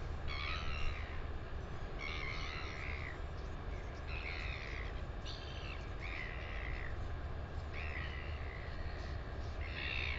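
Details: Northern royal albatross calling in New Zealand on 9 September 2020, a run of coarse, grating calls repeated roughly every second, each slurring slightly downward, against constant low wind roar.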